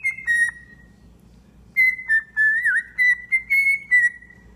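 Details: A tame, domesticated pet cockatiel whistles a clear, steady tune near one pitch, broken into short repeated phrases with a brief wavering slide, after a pause of about a second.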